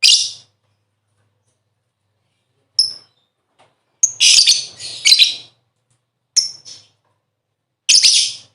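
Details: Calls of a lovebird played to stimulate birds into song: isolated high shrill chirps and a couple of harsher chattering bursts, with long quiet gaps.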